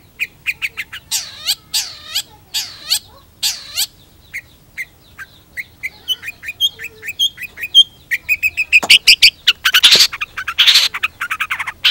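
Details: Long-tailed shrike song mixing nasal, mewing downslurred calls, a series of short sharp ticks and whistles, then a dense rapid chattering medley of harsh and squeaky notes.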